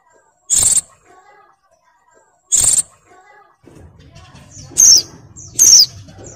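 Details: Female oriental white-eye in breeding condition, calling to lure a male: two high, thin, downslurred notes follow two short broadband bursts, with a faint low rumble in the background.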